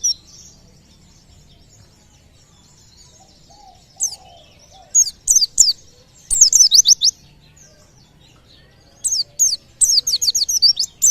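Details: White-eye, said to draw nearby birds into singing, giving high thin chirps: a faint opening note, then short bursts of steep downward-sweeping notes in quick clusters separated by quiet gaps.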